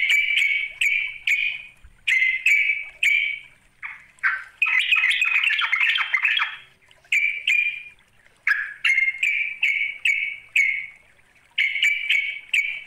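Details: A sooty-headed bulbul (trucuk) calls a rival in runs of short harsh, buzzy notes, broken midway by a dense, jumbled scolding chatter before the clipped notes resume.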